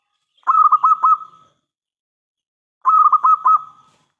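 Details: Zebra dove, a local singer with a big voice used to make other doves reply, gives two separate rolling phrases of four quick coos. Each phrase trails into a sustained tone, with a pause of over a second between them.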